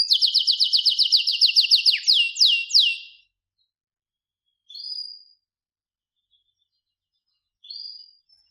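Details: Canary singing a fast series of sharp falling notes that slows at the end, followed by two short soft whistled phrases after pauses.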